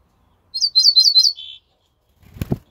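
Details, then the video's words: Ortolan bunting song from 28 May 2024: four or five crisp, high, repeated notes in quick succession, closing with a lower, steady drawn note. A dull thumping handling sound follows the phrase. "Свежая садовая овсянка. Песня."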